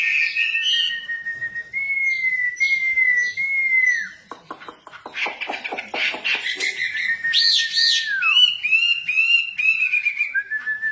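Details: Female wambi singing actively: sustained clear whistles that slide down at the end, then a burst of harsh rattling clicks and bright warbled notes, followed by short repeated whistled phrases.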